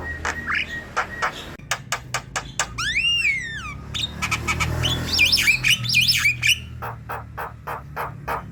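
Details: Song of a black-winged myna meant as a lure for a reluctant bird that rarely sings: sharp clicking notes, a brief whistled slur, a falling harmonic whistle, a rasping squawk, looping warbles and a closing run of harsh repeated notes.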